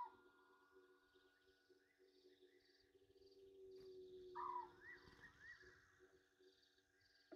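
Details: Bathing Egyptian geese at Gowrie dam, Djuma Game Reserve, South Africa, late evening of 27 August 2023: one short, harsh falling honk midway, set against a steady buzzing and trilling night chorus with low rumbling water noise.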